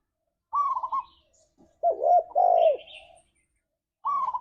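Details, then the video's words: Spotted dove recording used to coax caged doves into song: a higher rolling trill, then a deep paired coo with faint high chirps, and the trill again. "Suara Burung Tekukur Ini Pancingan Tekukur Gacor Suara Ngalas"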